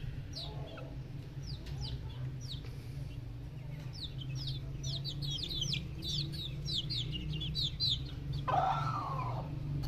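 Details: Fancy silkie bantam chicks chirping: rapid sharp descending peeps from several chicks, building in density, with a steady low hum underneath and a brief harsher sound near the end.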